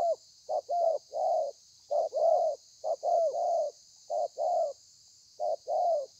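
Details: Spotted dove, a kept bird, singing thổ pha on 30/11/2020: phrases of three hoots, two short and one longer curving coo, repeated with brief pauses, over a constant high hiss.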